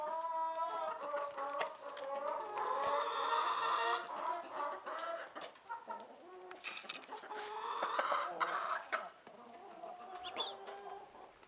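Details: Rooster kept with hens gives two long, loud harmonic crows several seconds apart, each strained and slightly rising, with busy clucking and scattered clicks and knocks between them.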